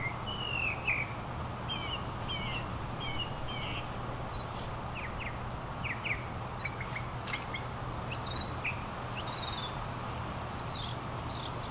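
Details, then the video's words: Northern mockingbird at Fort De Soto giving its long, varied song: phrases of slurred whistled notes each repeated two to four times before switching to a new sound, over a constant low background rumble. "Mockingbird at Fort De Soto"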